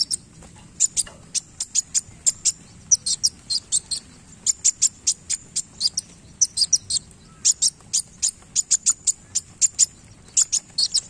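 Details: Lively sunbird in full song with tail play: a steady stream of piercing, high metallic ticks and chips, bunched in quick groups with short gaps, continuing throughout.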